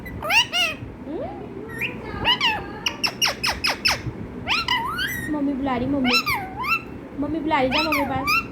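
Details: Pet parrot at home copying a cat's meow: a run of short, sharp clicks and chirps, then several wavering meow-like calls that bend up and down, with low murmuring in the background.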